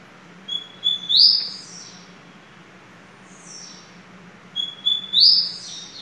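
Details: Double-collared seedeater (coleiro) of the line called Bem Amado Família Sertão singing: high, whistled phrases, each a rising sweep ending in a bright burst, delivered twice about four seconds apart over a steady low hum.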